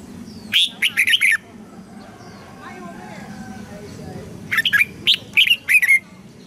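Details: Red-whiskered bulbul song played as a model for young birds and to excite newly caught birds into singing: two rapid phrases of sweet, jumpy whistles separated by a pause, with a low murmur behind.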